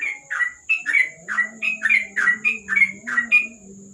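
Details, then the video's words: Yellow-vented bulbul singing by lamplight at night, 'ropel' style: clear, emphatic whistled notes bending downward, about three per second, very clean, with a low soft hum underneath. "Burung trucuk,An ropel malam hari dibawah lampu"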